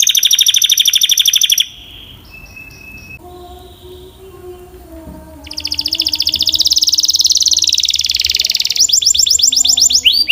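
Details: Singing canary: a bright rapid trill, then a quiet stretch with a few soft, thin tones and faint low, steady hums. A long, loud, rolling trill follows, ending in fast, dense rattling notes.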